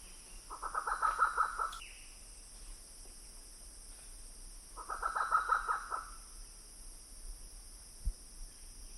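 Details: In jungle at Hup Takhian, Prachuap Khiri Khan, Thailand, 2025, a grey peacock-pheasant in the background gives two bursts of rapid, harsh, mid-pitched clucking notes about four seconds apart, over a steady high insect drone.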